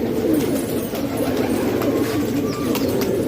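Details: Indoor flock of pet pigeons from Pakistan, a thick wash of low burbling coos from many birds at once, pulsing gently, with light tapping and shuffling noises on top.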